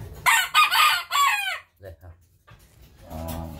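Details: A young rooster, grown from a chick and just learning to crow, gives a loud, scratchy crow of several choppy syllables falling at the end, followed by quiet low sounds and a soft murmur.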